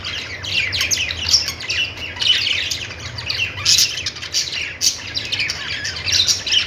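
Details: Budgies chattering and squawking without pause, with overlapping shrill, buzzy notes and short whistles in quick succession over a steady low hum.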